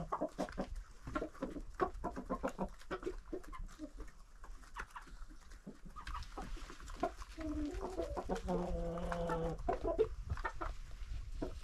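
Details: About 25 domestic chickens and roosters in a village yard coop, being fed by a woman: busy overlapping clucks and short notes, with a drawn-out harmonic call near the end and constant scratching and rustling.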